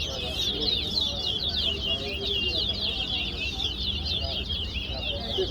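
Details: Chestnut-bellied seed finch, known locally as towa-towa, singing in a competition at Guyana National Stadium; a sustained run of fast, buzzy high twitters and down-slurred notes, with numbers counted aloud and low background noise.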